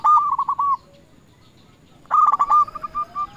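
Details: Zebra dove, a local lure bird, challenges rivals with two soft cooing phrases. Quick pulsed notes lead into evenly spaced mellow coos, and the second phrase trails away in a long series.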